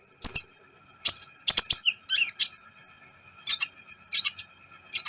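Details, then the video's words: Sunbird (kolibri ninja) in full song, a tutor recording meant to rouse other birds: a thin downslurred whistle, then clusters of shrill, rapid chirps and trills spaced by short pauses, with a faint steady electrical tone. "Masteran KOLIBRI ninja gacor , agar CEPAT EMOSI"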